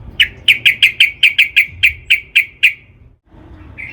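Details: Sooty-headed bulbul lure call meant to rouse other bulbuls into song: about twelve clear, bright chirps at the same pitch, repeated roughly every quarter second, over a soft low rumble.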